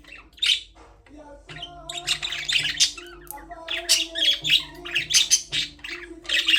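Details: Budgies in a birdcage: a quiet start, then rising chatter of warbling, scratchy chirps and squeaks building into dense bursts, with a low humming tone in the background.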